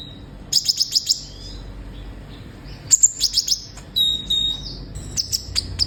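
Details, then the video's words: Vigorously singing olive-backed sunbird, meant to prompt caged birds to sing: a rapid run of five piercing high notes, a pause, another chirp run, then a drawn-out thin whistle and further sharp notes. "Terapi suara burung kolibri ninja gacor"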